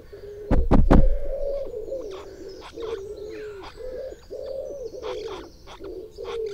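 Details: Two magpies attack a microphone blimp in a small yard at six in the morning, 17/07/2018. Heavy thumps open the clip, then come continuous low warbling coos mixed with light tapping and scratching.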